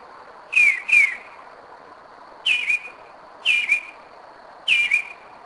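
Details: Northern mockingbird at 2am in Kennesaw, Georgia, 2011: clear downslurred whistles, delivered singly or in pairs with gaps of around a second, against a quiet background with a steady faint high tone.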